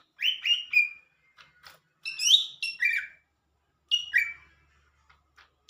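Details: Lesser green leafbird in full, lively song: loud whistled notes sliding downward, sharp high chirps and short warbled phrases in bursts separated by brief pauses, a few soft ticks between them.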